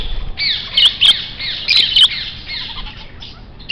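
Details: Grey parrot calling with grating squawks and downslurred rasping notes, clustered in bursts about a second apart, then trailing off into quieter scratchy calls before a final sharp squawk.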